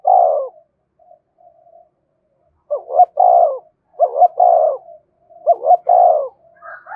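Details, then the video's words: Spotted dove cooing to call and provoke other doves. Low phrases repeat about every second or so, each with two quick rising-falling notes and then a fuller, drawn-out coo. Faint softer coos sit between phrases, with no other noise. "tiếng cu gáy thúc và gáy gọi"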